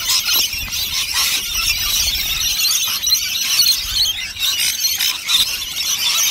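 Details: Rainbow lorikeets crowding two nectar dishes at lunchtime make a constant, overlapping din of harsh, shrill squeals that swell and dip in loudness, with faint low bumps underneath.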